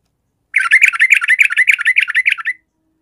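A yellow-vented bulbul gives a two-second burst of rapid, harsh, bubbling chatter, about seven notes a second, with no other sounds.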